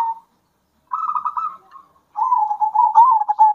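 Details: Zebra dove song, local wild and bred birds alternating, used to provoke other doves into singing: rolling, purring coos around one pitch, a short phrase then a longer trilled, wavering coo.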